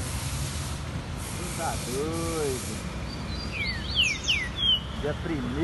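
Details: A green-winged saltator (Saltator similis) singing out in nature gives a few quick, clear whistled notes that slur downward, over a steady hiss, with a lower drawn-out tone and a human voice.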